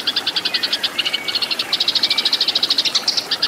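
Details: Rapid fighting chatter of a Eurasian tree sparrow, used to train caged birds. A long string of high, clipped chirps, roughly eight a second, with a faint thin whistle in the middle and steady hiss behind.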